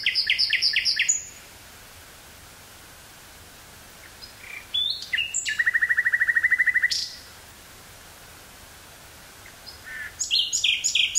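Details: Common nightingale singing in woods near Burgh-Haamstede, Netherlands, on 18 May 1983, portable cassette recorder and stereo microphone; repeated strong notes, a pause, whistles and a long fast rattle, then another loud repeated phrase.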